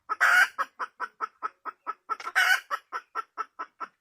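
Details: Wild red junglefowl hen calling loudly and close: rapid, evenly spaced clucks, roughly four to five a second, broken twice by a loud rasping squawk.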